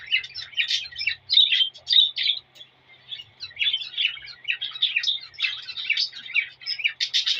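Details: Courting male cockatiel whistling and chirping to a female to encourage mating. The phrases are rapid, twittering and warbled, with louder bursts near the start and a sharp, bright flourish at the close.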